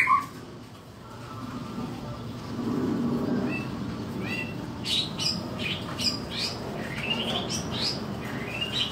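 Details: A Medan White-rumped shama in full fighting song gives a fast, loud run of short, high whistles and rising sweeps that grows busier in the second half, over a steady low background hum.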